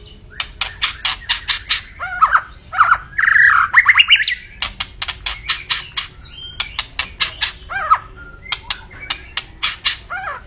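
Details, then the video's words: Energetic white-rumped shama song: dense bursts of sharp clicks and chattering notes with short whistled slurs and a buzzy warbled passage in the middle. "Kicau Burung Murai Batu Gacor"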